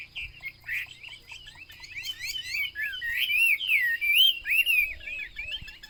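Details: Wambi, the Chinese hwamei, starting with soft short whistles that build into louder sweeping, wavering whistled phrases in the middle, then fade.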